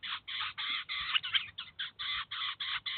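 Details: A Eurasian jay feeds its chicks at a cheese feeder in Kaluga after bringing them there to learn. Steady, regularly spaced rasping screeches follow one another without a break.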